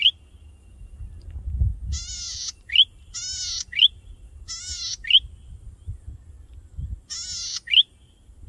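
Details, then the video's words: Male golden-headed cisticola in breeding plumage, perched high on a tall grass stalk, singing vigorously to attract a mate: four harsh buzzy bursts, each followed by a short, sharp rising whistled note, with low rumbling building noise beneath. "Golden--headed Cisticola Calls for a Mate"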